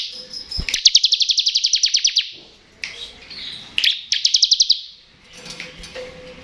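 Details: Bar-winged prinia in ngebren style, used to stimulate reluctant prinias: a loud fast trill of bright pulses lasting over a second, a pause with faint chips, then a shorter matching burst.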